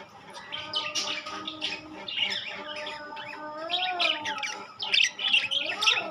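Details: Budgerigars of rainbow and classic colour varieties chattering together: a dense stream of high, scratchy warbles and squeaks, with a steady low humming tone running underneath.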